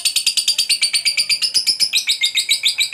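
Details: Ngekek panjang from a fighter lovebird, whose long trill is meant to stir up other lovebirds. Shrill, rasping notes come in quick steady pulses, shifting slightly higher partway through, unbroken throughout.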